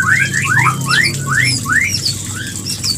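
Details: White-rumped shama mating call for inducing breeding; loud, rising whistled notes repeated about every half second, with fainter high notes above, over a humming background.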